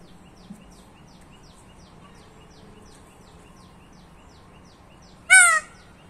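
A single loud, nasal, wailing peacock cry near the end, briefly rising then falling. Faint rhythmic chirping and a quiet background hum run throughout.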